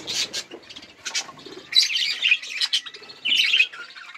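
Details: Budgies chirp in short bursts while eating and playing: squeaky whistled notes and buzzy warbling phrases separated by brief quiet gaps.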